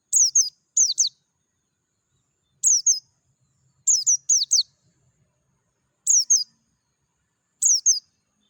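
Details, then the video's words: Dakun-type Oriental white-eye singing in the wild, giving clear, thin, high-pitched downslurred chirps, often doubled, in bursts every one to two seconds, with no other birds or noise audible. "PLECI DAKUN NGALAS SUARA JERNIH"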